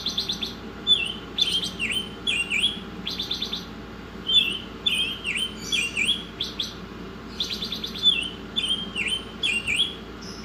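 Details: Masteran recording of a pancolor Oriental magpie-robin: repeated phrases of buzzy rattling notes followed by clear, downward-bending whistles, phrases spaced irregularly a few seconds apart over a low steady hum.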